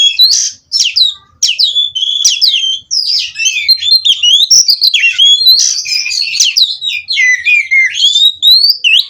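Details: Captive-bred kacer, the Oriental magpie-robin, rolling out unbroken song: dense sequence of sharp whistled slurs and chattering notes, phrases tumbling one into the next for the full stretch.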